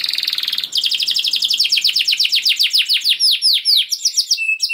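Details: Canary in full, long-running song, played as a lure to get other canaries singing: a buzzy high trill, then rapid downward-sweeping notes repeated about four per second, all high-pitched and continuous.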